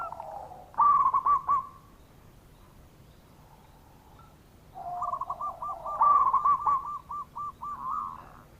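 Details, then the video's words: Local zebra dove calling often, used as a lure to prompt reluctant doves to answer: two bursts of quick, regularly spaced staccato coos, the second longer, with a quieter lower coo between. "Perkutut Lokal Gacor Suara Pikat Bikin Nyaut Yang Lagi Males Bunyi"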